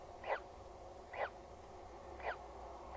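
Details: Peregrine falcon at a nest on Axel Tower, Netherlands, 14 April 2019 at 19:07, apparently a newly hatched chick; three short descending squeaky calls about a second apart over a steady low hum.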